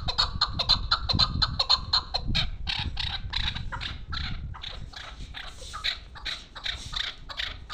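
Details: Female chukar partridge kept for hunting, calling in a rapid series of short repeated notes, about two per second; the first notes carry a ringing high tone, later ones become harsher, broader bursts over low background rumble.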